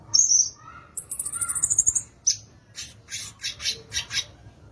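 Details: High thin whistled notes open the phrase from a violaceous euphonia, known locally as gaturamo-verdadeiro or guriatã, followed by a rapid buzzy trill and then about six evenly spaced scratchy chips.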